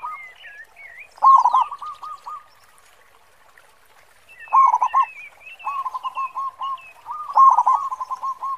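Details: Local Zebra dove (perkutut), a strong singer with a big voice kept as a lure bird, gives soft, low cooing phrases of quick stuttering notes, repeated four times with pauses; faint high chirps from other birds behind.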